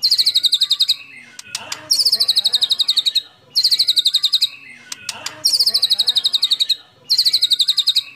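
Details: Competition song of a white-rumped shama: rapid trains of sharp high chips in four bursts roughly every two seconds, each run lasting about a second, with faint clicks between.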